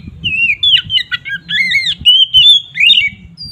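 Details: Oriental magpie-robin in loud 'ngeplong' song used as a lure to anger other magpie-robins: harsh, scratchy squawking notes mixed with whistled slurs in a rapid, continuous run.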